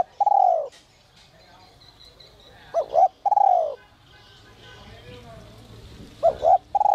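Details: Spotted dove with the 'giọng còi' voice used to lure wild doves, giving a long falling coo, then double short notes and another long coo. The phrases are spaced by pauses, with faint background rustle and chirps.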